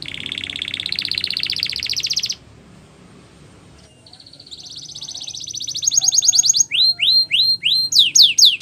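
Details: Canary, Spanish Timbrado singing for training: a dense high buzzy trill, a pause, then a rising metallic rattle into loud repeated downward-sweeping whistled notes about four per second.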